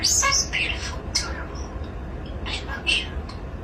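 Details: A pet starling, a mimic, runs through quick, scratchy chirps, squeaks and whistles in a rapid, irregular jumble, with a few speech-like murmured phrases mixed in.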